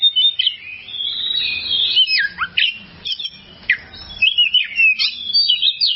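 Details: Oriental magpie-robin song, a long tutor recording for training songbirds: a rich run of clear whistles and sliding notes, some rising and some dropping sharply, with short buzzy phrases and brief pauses between bursts.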